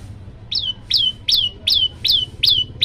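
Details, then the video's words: Olive-backed Tailorbird (prenjak lumut), hungry and in full song in a long-shot variation: a steady series of six loud, piercing notes that drop in pitch and trail off, repeated roughly every 0.4 seconds. "prenjak lumut lapar gacor"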